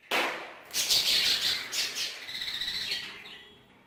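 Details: Budgerigar in an aviary holding Hogoromo-type budgies, giving a loud rapid warbling run of high chirps and squeaks after an initial sharp note, fading gradually over the last second.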